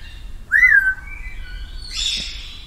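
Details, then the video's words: Parrot giving a clear whistle that rises sharply, then glides down and trails off. It is followed by a brief harsher, noisier burst. "Natural parrot voice"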